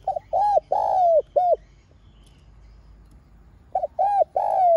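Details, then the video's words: Lure spotted dove in its calling and urging song used to excite wild doves: two three-note coo phrases, each brief note, long downslurred hoot, short note, separated by a pause of about two seconds. "Tiếng Cu Gáy MỒI CHUẨN Giọng Hay Hạp BổI ĐỦ BÀI [GÁY GỌI,THÚC ]"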